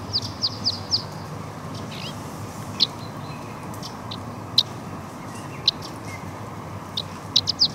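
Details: Eurasian crag martin young receiving food by the Walensee in Switzerland give sharp, high, clipped chirps, a quick cluster at first and then single notes every second or so, above a constant low rushing background.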